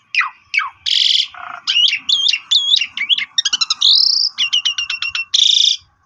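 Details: Pied myna singing at full volume with varied filler phrases, used to draw answers from other birds: falling whistles, a harsh burst, looping up-and-down whistled notes, a staccato series and a long rising whistle.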